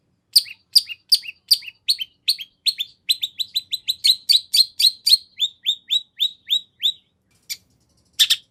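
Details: Long-tailed shrike delivering a fill-in-rich song to draw other shrikes into replying: sharp downslurred chips that speed up into a dense run of clear descending notes, then slow, ending with a harsh burst.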